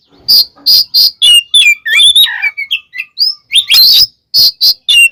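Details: Kacer, the oriental magpie-robin, in provoking fight song: a row of loud, evenly spaced harsh notes, then a tangle of slurred whistles and a low rasp, ending with more sharp repeated notes.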